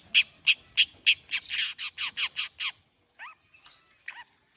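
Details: A long-tailed shrike warming up, from Indonesia: about ten loud harsh rasping notes evenly repeated, then silence broken by a few soft, falling, slurred calls.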